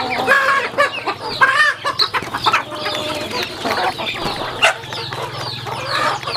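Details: Farm chickens feeding; loud bursts of high peeps and chirps come in clusters with brief quieter gaps, alongside scratchy clicks and a faint steady hum.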